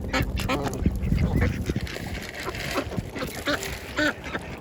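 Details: Ducks of several kinds at a pond during a lunchtime feed, rasping quacks in short bursts, some clear nasal calls near the end, with low rumbling and a human voice briefly in the background.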